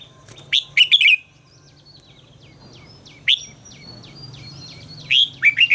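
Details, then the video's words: Red-whiskered bulbul singing during voice training: two bursts of loud, rich warbled notes, one near the start and one at the end, separated by a thin series of high, short, descending chirps from another bird. "luyện giọng chào mào hót hay - căng lửa, chào mào hót quá phê"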